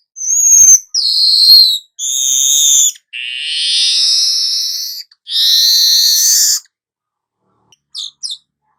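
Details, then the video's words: Gacor nyerut weaver song: a high whistle, then a chain of long buzzy, nasal drawn-out notes, one loud and harsh, ending in silence broken by a few short high chips. "Hitungan DETIK burung manyar anda akan jadi GACOR NYERUT"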